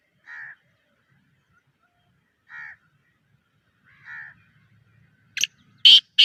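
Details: Black francolin, captive, gives three soft nasal notes spaced about two seconds apart, followed by louder harsh, raspy bursts.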